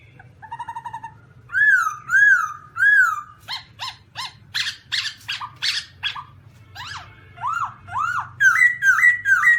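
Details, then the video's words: Song of a black-throated laughingthrush (Garrulax chinensis): whistled arched notes repeated in a series, then loud short harsh notes, upslurred whistles and a closing run of bright rising-falling phrases, over a faint low hum. "Birds Black-throated laughingthrush (Garrulax chinensis): Funny Sounds And Funny Dances"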